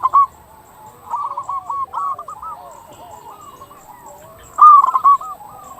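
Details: Actively singing local zebra dove, a lure to prompt other zebra doves to sing: a short coo, a series of medium, stuttering coo phrases, and a loud rolling burst near the end.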